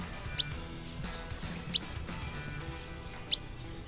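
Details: Least Flycatcher, a migrant wintering in Costa Rica (October to April) in secondary forest and edges, giving its call: three sharp, high 'whit' notes, each very brief and about a second and a half apart, over a faint low hum.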